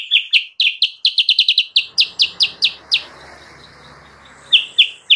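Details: High, rapid chips from the kutilang sutra, used as a lure for wild birds, slow into spaced single notes; after a hissy pause, a few more chirps follow at the end.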